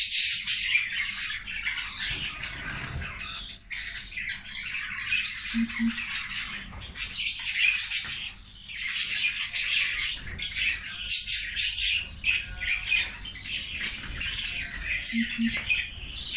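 Budgerigars squabbling over food with harsh, rapid squawks and chattering chirps.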